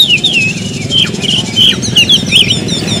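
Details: Oriental magpie-robin kept as a pet producing a sparser sequence of clear, slightly descending whistles and short warbles spaced through the phrase, with a pronounced low engine-like hum behind.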